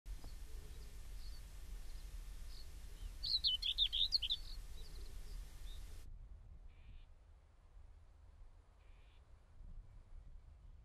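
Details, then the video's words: Common Whitethroat in hedge-dotted open country of the Oldenburger Land, northwest Lower Saxony, gives one brief scratchy high chattering song phrase about a second and a half long, then two faint scratchy notes over low wind rumble. "Dorngrasmücke (Sylvia communis) Gesang. Song of Whitethroat"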